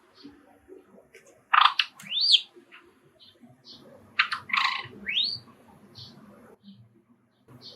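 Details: Household Java sparrow singing, excited by sparrows calling from a nearby park; two phrases, each a harsh burst followed by a rising whistle, with faint chirps between.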